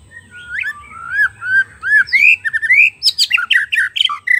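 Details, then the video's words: Song of a wild forest White-rumped shama, used to prompt a shama that has stopped singing: clear rising and falling whistles build into rapid, loud, buzzy and chattering phrases. "PANCINGAN MURAI BATU MACET BUNYI PANCING DGN SUARA MURAI BATU ASLI SUARA BURUNG HUTAN"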